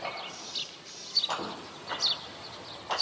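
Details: Juvenile male Indian robin giving short, high, thin chirps, some paired, repeated irregularly about once a second, over a steady hiss and broadband clicking noises.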